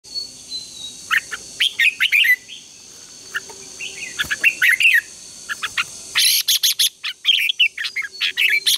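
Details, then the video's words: A Red-whiskered bulbul singing in competition style, used as a lure to train and stimulate other bulbuls to sing, gives bright, bubbly phrases of quick rising and falling whistles in bursts with short pauses over a faint high whine. "chào mào hót sáng | chào mào hót đấu"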